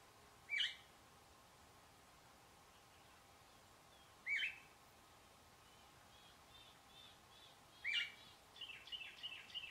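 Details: A group of least sandpipers scurrying around a pond edge give thin, high, rising trilled calls about every four seconds, ending with a burst of softer chips, over steady background hiss.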